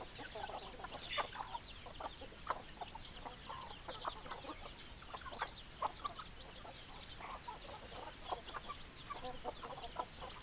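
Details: Chickens, hens clucking and roosters crowing: many short overlapping clucks and squawks repeated throughout, a dense flock chorus.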